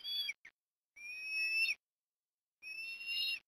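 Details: Osprey calling at its nest in Port Lincoln, Australia, during afternoon food deliveries in October 2021: a short shrill whistle and a brief note, then two long, steady, piercing whistled calls about a second and a half apart.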